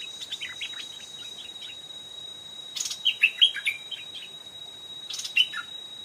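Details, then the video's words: Stripe-throated bulbul, an old wild bird behaving fiercely toward a caged decoy and twice approaching the trap. Scattered soft chirps, then a clearer burst of bubbly, falling notes midway and a final short phrase, with rustling bursts and a steady high tone. "เสียงนกต่อดอกแตงEp.90 นกแก่ป่าอย่างดุ ขึ้นเพนียด2รอบ(Stripe-throated Bulbul)"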